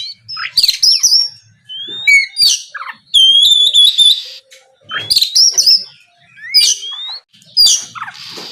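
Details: Oriental magpie-robin singing in the loud, open 'gacor ngeplong' style, used to provoke rival birds into answering; varied clear whistles, rising and falling slurs and sharp chirped notes come in bursts separated by short pauses.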